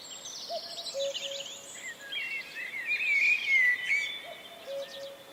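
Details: Common Cuckoo recorded in Wales in April 2004: low two-note cu-coo, a short higher note falling to a longer lower one, heard twice, softly beneath a dense chorus of high, twittering songbirds.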